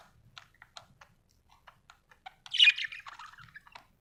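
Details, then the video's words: Happy budgerigar giving scattered soft ticks and clicks, then one louder harsh squawky warble in the middle, fading back into quiet scattered chirps. "happy budgie chirping sound"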